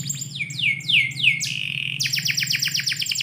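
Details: Canary singing indoors in the morning: a run of rapid high downward-sweeping whistles, then a steady buzzy note, then a fast trill of repeated chirps; a low steady hum runs underneath.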